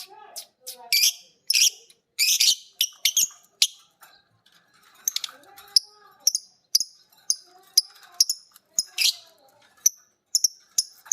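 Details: Two pet lovebirds, biola green and PB Piet varieties, trade ngekek phrases after hearing a master recording. Dense, uneven chatter of shrill clicks and chirps runs throughout, with harsher bursts clustered near the start.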